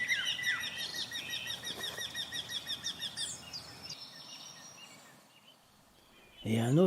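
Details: A Eurasian wryneck, heard singing for several days from a bush near a farm in the Ballons des Vosges Natural Park, gives a quick run of ringing, nasal notes several times a second; other birds chirp faintly, a man speaks at the end.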